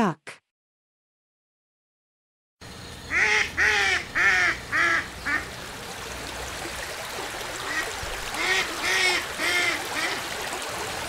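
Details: Duck quacking: after a brief opening sound and a silent gap, a run of loud nasal quacks with harmonic bands, then quieter quacks continuing over a steady noisy background.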